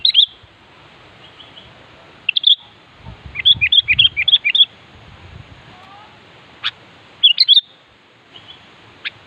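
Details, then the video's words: Sooty-headed bulbul calling a rival: repeated bubbly whistled phrases, including a rapid run of chirpy notes mid-way, with faint thin whistles from other birds and scattered low background noises. "Suara Burung Kutilang Gacor Siap memanggil Lawan"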